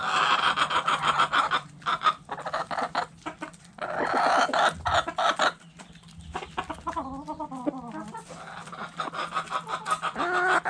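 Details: Backyard chickens in the coop, hens clucking busily: dense overlapping clucks and calls, with a wavering harmonic call later on, over a faint hum.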